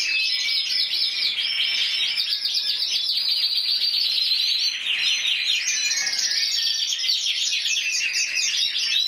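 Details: Spanish champion canary of 2014, intense yellow, 94 points, in sustained song: long sequences of rapid repeated trilled syllables, changing speed and pitch from phrase to phrase with no pauses.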